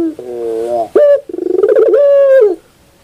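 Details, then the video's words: Morning pelung-style song of a puter, or Barbary dove: a lower wavering coo, a sharp clipped note, then a pulsing rise into a long steady rich coo that drops off at the end. "the beauty of the sound of puter pelung in the morning"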